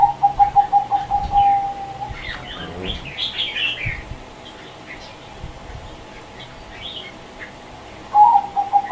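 A zebra dove gives rapid, staccato cooing notes in a quick mid-pitched stutter at the start and again near the end, with faint high chirps from other birds between.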